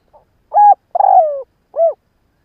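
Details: Spotted dove decoy bird cooing in the morning to stir up wild doves: a three-note phrase, a short hollow coo, a longer slurred coo that slides downward, then a brief rounded final note, over a silent background.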